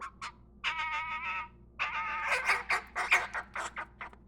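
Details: A young hand-fed nestling crow, still unable to hop or walk, gives hoarse, nasal begging calls while being fed cat food, fruit and corn: two short clicks, a long wavering squawk, then rapid raspy notes.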